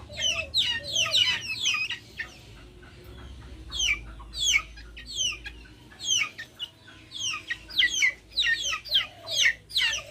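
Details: Backyard chickens outdoors, with nature sounds around them. Dense runs of shrill falling peeps burst out in clusters, broken by a quieter gap. Brief low clucks are heard at the start and near the end.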